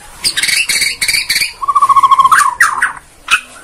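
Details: Bornean white-rumped shama song played as a lure to provoke other birds into singing: a burst of harsh, clipped notes, then a fast even trill of about twelve notes and rough upward-swept calls.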